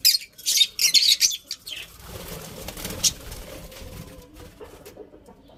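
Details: Budgerigars kept as pets give a fast run of high, scratchy chirps in the first two seconds, followed by quieter rustling and faint background noise.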